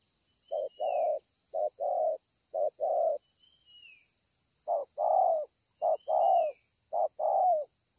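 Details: Spotted dove, a 'bổi ngực sẹo' praised for excellent cooing, Ngọc Hồi, 25 March 2020: low hoarse coos in short-then-long pairs, four phrases with a pause midway, over a steady high insect hum and faint thin whistles.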